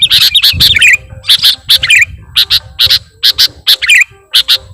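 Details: Lure song of a sooty-headed bulbul, full of imitated phrases and sung constantly: harsh clipped double bursts about once a second, mixed with bright whistled notes and short falling trills over a faint low background rumble.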